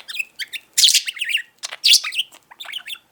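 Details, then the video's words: Talkative male pet budgie chattering indoors: quick, high, raspy syllables strung into mimicked phrases, two louder bursts standing out among lighter twitters. "incessant talking budgie"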